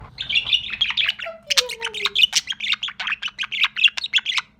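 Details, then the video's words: Sociable young budgerigar chick chattering: rapid run of short scratchy chirps and warbles, with a few descending whistled notes early on, steady low hum behind. "Общительный птенчик"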